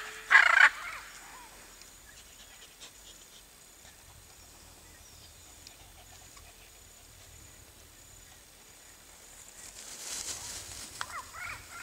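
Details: Hyacinth macaw (Anodorhynchus hyacinthinus) foraging for coconuts and seeds in riparian forest gives one loud, harsh, grating squawk at the start; quiet forest follows, with faint high hiss and soft rustling near the end.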